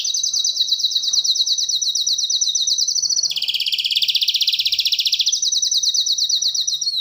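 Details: Canary song made of long, rapid rolling trills of high, even notes, one tour running about three seconds before dropping to a lower, fuller trill, then rising again; otherwise quiet.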